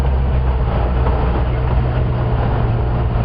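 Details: On a sunrise safari drive, a vehicle engine drones loudly and steadily throughout, with no animal sound.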